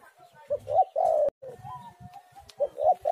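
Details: Spotted dove cooing used as a song lure: broken, husky coo notes mixed with a sharp click and a thin whistled tone, and a short coo phrase near the end.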